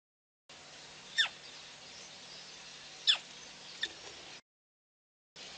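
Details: Female black crake at PP, 9/6/11: three widely spaced high squeaks, the first two falling steeply, the last short and fainter, with quiet hiss between.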